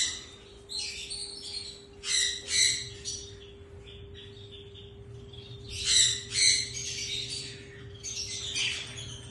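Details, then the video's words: One of a pair of yellow ringneck parakeets gives bursts of harsh, high screechy chatter in clusters every couple of seconds, over a steady low mechanical hum. "Beautiful Yellow Ringneck"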